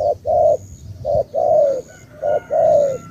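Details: Spotted dove of the Cà Mau type sings loud, clear coo phrases: a short note then a long, gently descending coo, three times in three seconds. Soft high tones sit in the background.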